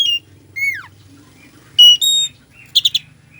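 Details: Oriental magpie-robin with a full fill-in song used to provoke slow birds: a few loud notes including a clear whistle sliding steeply downward, a sustained flat whistle and a quick triple chirp, with quiet gaps between.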